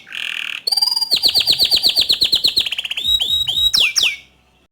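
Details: Bottle-green canary in full energetic song, used as a tutor recording for young and untrained canaries: a high buzzy note, then a fast series of repeated sweeping chirps that quicken into a rolling trill and end in descending whistles.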